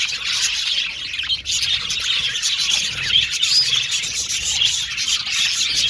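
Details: Australian budgies chirping happily as a group: dense, continuous high tweeting and chattering with short whistled notes and quick trills overlapping throughout, no pauses.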